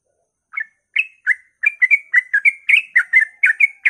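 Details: Yellow-vented bulbul in early-morning rapid 'ropel' song for drawing other bulbuls into singing; spaced opening notes speed up into a dense chain of liquid, warbling chirps, some slurred upward, with a clean silent background.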